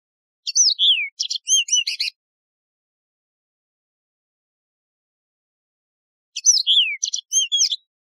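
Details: Yellow-fronted canary, the Mozambique serin, a wild canary with a ringing voice: two quick bursts of high twittering song, each about a second and a half of sliding whistles and rapid trills, separated by four seconds of silence.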